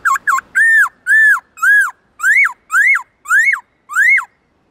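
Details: Black-throated laughingthrush singing the "forest voice" song style with long, loud, clear tones. Two quick dipping notes, then seven rich whistled arched phrases about every half second. Later phrases rise sharply then fall.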